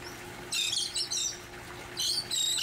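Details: Elegant terns at a large nesting colony on barges in Long Beach Harbor, 13 August 2021, during a rescue and monitoring operation, give harsh, grating, high-pitched calls in two overlapping bursts about a second apart over a faint low hum.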